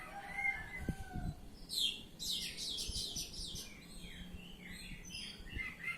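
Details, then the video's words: Kacer, the Oriental magpie-robin, singing ngeplong: a short whistle, then a dense run of fast, high chattering and trilled notes. Varied warbled phrases follow, over a few low knocks in the background. "Kacer Ngeplong"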